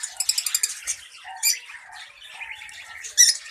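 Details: Colony of budgerigars kept for breeding: a rapid series of sharp, evenly spaced chirps opens, followed by loud squawks, lower nasal notes and scattered twittering from several birds, ending in a harsh, loud squawk.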